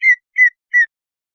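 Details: Greater Green Leafbird giving three clear, slightly falling whistled notes about a third of a second apart, used as a lure call to raise arousal and make other leafbirds aggressive; nothing else is heard.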